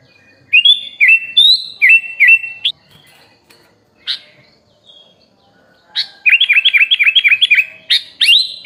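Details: Songbird-training masteran of a sooty-headed bulbul with full fill-in phrases: short whistled phrases, a pause with a faint note, then a fast even string of clipped chirps ending in a rising whistle.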